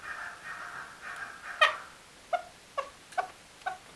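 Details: A male chukar partridge calls: a drawn-out nasal churring, one loud sharp note, then four short clucking 'chuk' notes about half a second apart; the background is otherwise quiet.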